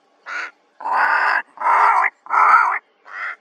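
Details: Two ravens in Kgalagadi Transfrontier Park, recorded 11 October 2021, give five hoarse croaking calls. The first and last are short and softer, and the three middle calls are long and loud.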